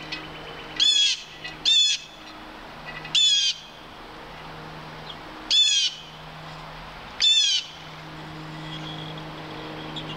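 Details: A red-tailed hawk near Halcyon Pond on 21 March 2015 gives five short, high, harsh squealing notes that slur downward, spaced irregularly every one to two seconds over a low hum.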